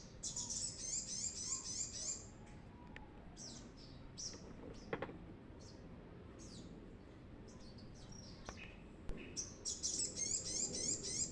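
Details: Brown-throated sunbird singing vigorously, used as a lure for untrained birds: bursts of high, thin, rapid twittering trills at the start and end, separated by scattered short chirps and a quiet hissing background.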